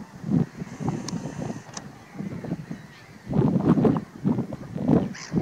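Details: Flock of dark-bellied brent geese, Lincolnshire, March 2023, giving low throaty grumbling honks in uneven bursts, loudest toward the end, over a low background rumble.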